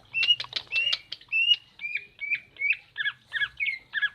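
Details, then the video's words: Female common iora call used to stir a male that has stopped singing: rapid chattering bursts giving way to a row of short upslurred whistles and doubled notes, roughly three per second. "burung cak ijo betina untuk jantan mandek"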